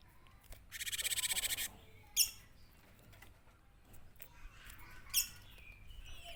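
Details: Cinereous tit song played to lure birds, a fast buzzy pulsed trill lasting about a second, followed by two sharp isolated chips and faint background chirps.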